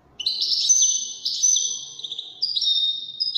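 A European goldfinch sings a fast, tinkling twitter of bright, high notes with sustained ringing tones, pouring out almost without pause. No other sounds are heard.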